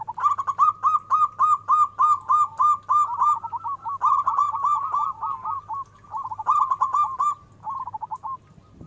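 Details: Zebra dove, local bird singing loudly and often, for luring other doves to answer: evenly pulsed rapid coo notes in long rolling series with brief breaks, low hum underneath.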